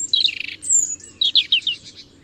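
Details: European robin singing a quick, varied phrase of thin, high twittering notes, then a clear sustained high whistle and a string of short sharp chirps descending slightly in pitch; faint low background hum.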